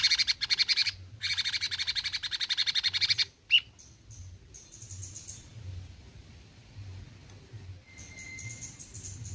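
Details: Cucak cungkok bulbul singing in besetan style: two long bursts of rapid, buzzy, evenly pulsed chatter, then a sharp note and quieter thin high whistles, with a soft low hum underneath.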